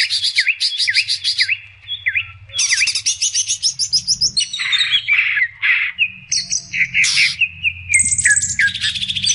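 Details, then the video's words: Sooty-headed bulbul song used as a lure to draw bulbul-type birds: clear downslurred whistles repeated about every half second, then bursts of dense buzzy chatter alternating with short whistled phrases and high trills, with a faint low hum beneath. "pancingan semua burung cucak-cucakan langsung GACOR"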